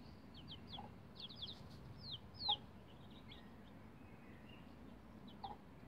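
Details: Bantam Rhode Island Red chicks, roughly 11 days old, on a chicken ladder. Quiet, high descending peeps come in short clusters early on, with one louder peep near the middle and scattered faint peeps later over steady background hiss.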